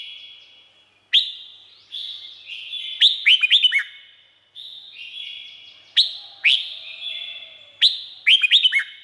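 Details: Red-whiskered bulbul from Thailand, with song for training or exciting caged birds: steady sustained whistles broken by repeated bursts of fast, jerky, rising and falling notes, several phrases in sequence.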